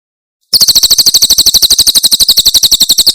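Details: Javan prinia, Tembakan Cililin song used to tutor caged birds: following a moment of quiet, a steady rapid chain of sharp high chirps, about four per second, lasting over two and a half seconds.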